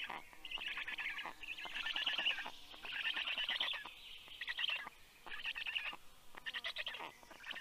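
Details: Growling from black stork storklets when an adult arrives with fish, morning of 11 June 2022; raspy pulsed rattles in bursts of one to one and a half seconds, with quick choppy notes near the end.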